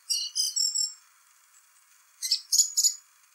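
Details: Spring singing of a song thrush: three quick repeated whistled notes, a second of silence, then three or four repeated harsh, buzzy notes.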